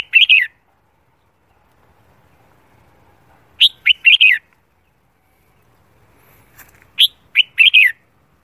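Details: Competition-trained red-whiskered bulbul giving morning song: three short whistled phrases about three and a half seconds apart, each of three or four bright notes rising and falling, quiet between.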